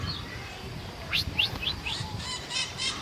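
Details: Scaly-headed parrot (maitaca-verde, Pionus maximiliani) giving a short run of four or five quick, sharp, upward-slurred chirps in about a second, followed by softer broad raspy notes over a quiet background.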